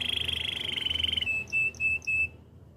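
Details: Spanish Timbrado canary in training song, a buzzy rolling trill held for over a second, then four short clear whistled notes spaced evenly.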